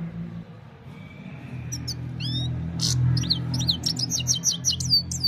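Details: Himalayan goldfinch singing at evening time, captured on a mobile phone: after a quiet start, a quick run of high twittering, trilled notes and down-slurred whistles, with a steady low rumble underneath.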